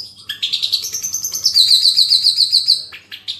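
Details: Long-tailed shrike training master in the 'speed rapat roll tembak' style: a few squeaky chirps lead into a fast, even rolling trill of bright high notes lasting about a second and a half, then quick closing chirps.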